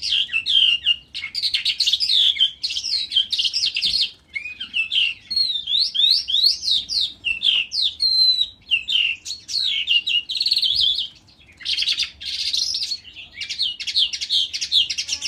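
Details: Lark singing in a ravine, a song of the style called dzhurbay: a long, unbroken stream of high, rapid warbles, slurred whistles and chirps, with brief pauses near four and eleven seconds before the jumble resumes.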